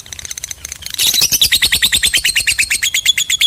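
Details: Lovebird singing in the long chattering ngekek style: a few soft ticks, then a fast, steady rattle of high, scratchy notes repeated several times a second without pause.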